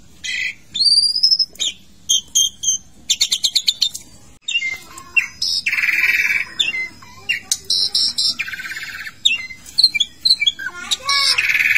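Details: Asian pied starling singing while in a bathing cage, a lively varied medley of sharp chirps, harsh buzzy rasps and whistled notes delivered in dense bursts, with one brief silent gap partway through.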